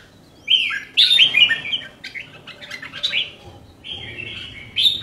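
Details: A caged red-whiskered bulbul sings loud, rich whistles: a rolling phrase of linked notes, then a scatter of quicker chirpy notes, and a steadier whistled phrase ending in a bright upward flourish. A faint low hum lies underneath.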